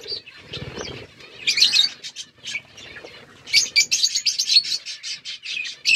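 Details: A flock of budgies in a forest-environment aviary: scattered soft chatter, then a burst of squeaky warbling, followed by a steady run of crisp high chirps, roughly four per second.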